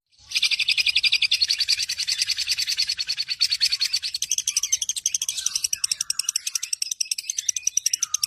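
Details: Long-tailed shrike giving a song in the style called 'tembakan maut' (deadly shots): a dense, rapid buzzy trill of evenly repeated high notes, strong at first, then loosening into separate clipped pulses toward the end.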